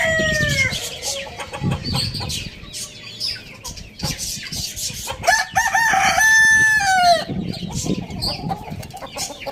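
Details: Morning crow of a rooster at a village farm: the tail of one crow opens, then a full crow of rising and falling notes about two seconds long, with clucking hens and chirping birds around.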